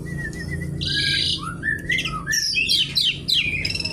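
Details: Javan pied starling song, a rapid jumble of wavering whistled notes, harsh buzzy bursts and quick descending chattering slurs, dense and energetic.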